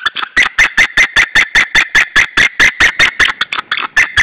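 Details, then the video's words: Wild white-tailed eagle pair at their nest in Saunja, Estonia, on 26 April 2013 at 19:20, shouting at another white-tailed eagle: loud, sharp yelping notes repeated about two and a half times per second in a steady, insistent series. "Saunja Sulev arrived shouting than came Linda, both shouting to another WTE"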